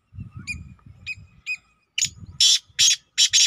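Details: Black Francolin recorded on a Saturday evening, 24 June 2023: a few thin whistled notes, then loud, harsh, rasping bursts in quick succession, over a low rumbling background.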